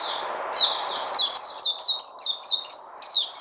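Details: White-eye, locally Puteh, 29 August 2020: after a soft note and background hiss, a rapid run of high, downward-slurred chirps, repeated a little over twice a second.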